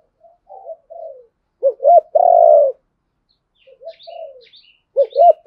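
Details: Spotted dove cooing meant to lure a wild bird into a fight: quiet wavering coos followed by loud paired hoots and a long rough coo, the sequence repeating after a pause, with faint chirps from another bird.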